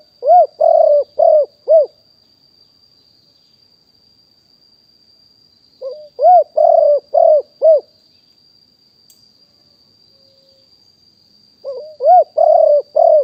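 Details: Live recording of a wild spotted dove from Nong Khu Phai, 2021, for luring doves: three rapid series of five hooting coos about five seconds apart, over a constant thin high-pitched tone.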